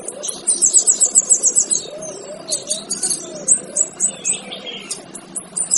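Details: A male kinoy's training song opens with a fast high trill, then breaks into scattered sharp chips. A softer wavering mid-pitched warble and low background hum run beneath.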